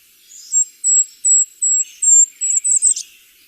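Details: Golden-crowned Kinglet song, a winter bird of the Mendocino Coast: a string of about eight very high, thin, evenly spaced notes that quicken and end in a brief tumbling jumble, so high-pitched that older listeners often cannot hear it.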